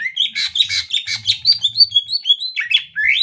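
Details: Greater green leafbird song used as a training recording for other birds: rapid run of high chirps, sharp upslurred whistles and trills, about three notes per second, with a soft low hum beneath.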